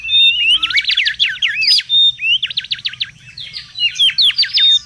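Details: Excited song of a wild mangrove whistler, used for luring and tutoring birds: fast, rolling phrases of swooping, chattery notes separated by single long, clear whistles, each phrase lasting about a second.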